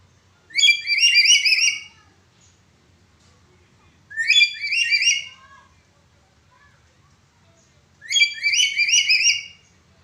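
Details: Black-capped lory with a cracked-voice call, used as a training recording for other birds. Three loud harsh, buzzy bursts about four seconds apart, each roughly a second long, with stacked rising and falling notes, then quiet gaps.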